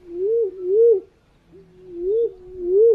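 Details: Green pigeon call used as a lure for birds: a smooth, wavering whistled tone that rises and falls in waves, given as two drawn-out phrases with a short pause between, clean with no other sounds.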